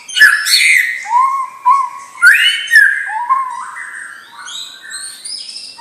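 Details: White-rumped shama, a young champion-bloodline bird, mixing harsh rich phrases with mellow low whistles, then trailing off into thin high notes.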